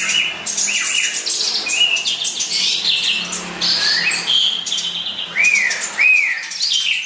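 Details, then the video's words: House sparrow singing busily: continuous high chattering chirps mixed with short arched whistled notes, steady and loud from start to finish. "Burung gereja gacor"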